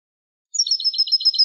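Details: European goldfinch song fragment from a tutor recording in the Malagueño classic ancestral style for young birds: a single second of quick, evenly repeated, liquid twittering notes after silence.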